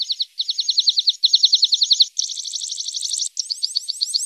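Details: Horsfield's bush lark singing in a training recording for untrained larks: high, rapid trills in five phrases, the notes quickening and growing denser toward the end, with short breaks between phrases.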